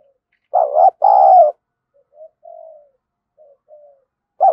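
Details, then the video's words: Cooing decoy spotted dove, thổ voice style, meant to draw in wild doves: one loud doubled coo, a brief note then a drawn-out one, followed by soft trailing murmurs and the start of the next phrase. "Chim Cu Mồi_cu gay kich boi nhanh noi gù"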